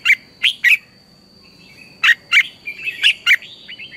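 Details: Morning lure song of a red-whiskered bulbul, used for training birds: loud, clipped, whistled notes in quick clusters, a quiet gap, then a livelier run of notes with some slurred whistles, over a constant high tone.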